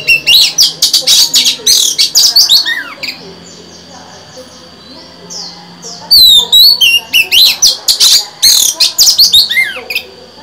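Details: Female Oriental magpie-robin song meant to excite males: dense bursts of rapid, scratchy and whistled notes, a quieter pause with soft slurred whistles, then another energetic chattering outburst.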